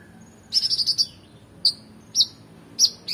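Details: Oriental magpie-robin singing energetically, a tutor recording for competition birds: a rapid trill of five high notes, then three separate sharp whistled notes spaced about half a second apart.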